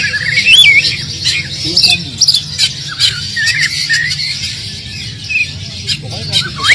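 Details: Oriental magpie-robin in steady, filler-laden song meant to start silent magpie-robins singing; a looping whistled phrase, then scattered softer chirps and slurred notes, ending with a rising whistle, over a constant low hum.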